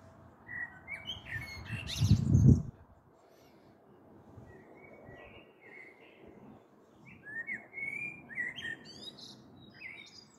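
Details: Common blackbird on the evening of 21 April 2022, recorded from a balcony before a possible storm; a loud low rumble passes early, then soft warbled phrases and high twittering notes continue through the rest.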